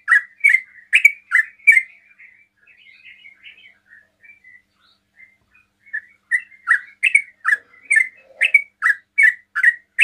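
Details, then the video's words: Sooty-headed bulbul singing rapid ropel song to provoke other bulbuls to respond: a loud burst of notes, a quieter twittering pause, then a fast, steady run of sharp chirps. "TRUCUKAN ROPEL PALING CEPAT MEMANCING TRUCUKAN LAIN NYAUT"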